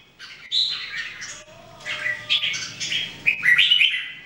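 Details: During everyday singing practice, three Red-whiskered Bulbuls (jambul) produce overlapping lively warbles and whistled notes, growing busier and louder toward the end.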